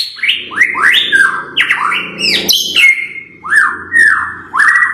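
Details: White-rumped shama song of the 'blorok' type, used as a lure to trigger other birds: rich, loud whistled phrases, many sliding downward, repeated with short pauses and a buzzy middle section.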